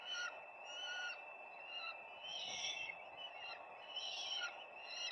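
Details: Calls from a peregrine falcon nest on 4 May 2025: repeated scratchy, whining notes about every second, swelling into a longer harsh burst midway, with constant hiss underneath.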